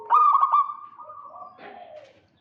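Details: A single zebra dove phrase, called to lure a rival: three quick stuttered notes open into a steady drawn-out tone that fades into a rougher, lower note.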